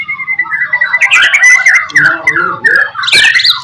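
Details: Shama song played as a lure for other shamas, a dense tumble of warbled, slurred whistles rising and falling, ending in a burst of higher notes.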